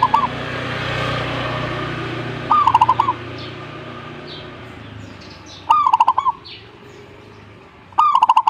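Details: Zebra dove giving four short trilled phrases of staccato cooing notes at irregular intervals. Low background hum and distant faint chirps sit between the phrases.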